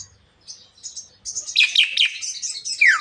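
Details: Javan myna talking and coughing, building from soft high squeaks into a loud continuous scratchy chatter of harsh pulses, ending with a sharp descending whistle.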